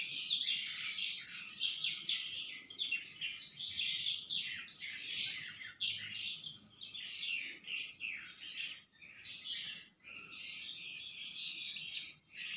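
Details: Home-kept Sanma bird in full song: busy, high-pitched chattering phrases of quick chirps and trills, broken by a few short pauses near the end.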